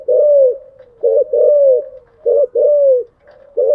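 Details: Spotted dove, kept as a cage bird, cooing in the morning: a repeating pattern of a short coo followed by a longer, gently falling coo, given three times with softer trailing notes between.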